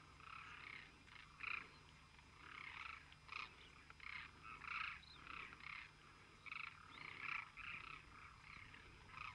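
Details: Flock of Demoiselle cranes calling together: harsh, rolling croaks in short bursts, several birds overlapping, with brief louder peaks around one and a half and seven seconds and a steady low hum beneath.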